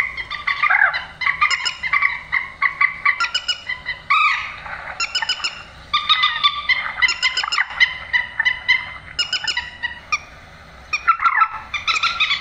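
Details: Grey-headed swamphen heard in a 'trích ré' lure recording for night netting; a long series of harsh, trumpeting squawks and quick chattering notes, loud throughout with a brief lull near the end.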